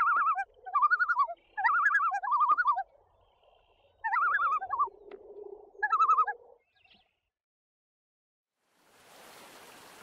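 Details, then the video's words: A common loon gives quavering, rapidly wavering mid-pitched notes in four or five short bursts over about six seconds, then a soft hiss of wind or water. "Common Loon"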